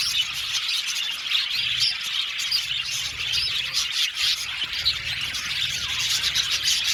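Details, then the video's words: Budgerigars, a colony of about seventy pairs kept in an aviary, chattering together: a dense, continuous wash of high, scratchy chirps and warbles with no pauses, many birds overlapping at once. "Beautiful Budgies chirping sound"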